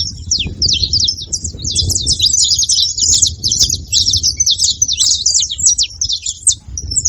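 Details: Saffron finches in a group keep up a steady, high-pitched chorus of rapid, sharp chirps and twitters from many birds at once, accompanied by a low, rumbling background noise.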